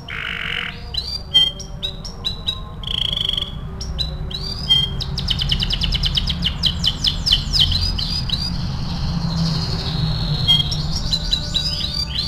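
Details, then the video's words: AF canary singing in a masteran song-training recording: varied phrases of short high chips, a brief buzzy rattle, pure whistled notes, then a long fast rolling trill, over a steady low-frequency hum. "MASTERAN KENARI AF GACOR"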